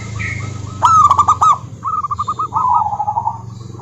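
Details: A local female zebra dove calls to a rival with a loud, abrupt run of sharp notes, followed by softer rolling coos; low hum in the background.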